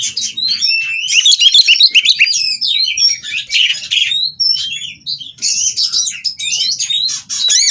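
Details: Captive white-rumped shama from a breeding aviary, mating and singing to provoke rivals; a dense, rapid stream of varied whistles, sharp chirps and buzzy trills with quick pitch sweeps, delivered in continuous bursts with brief pauses.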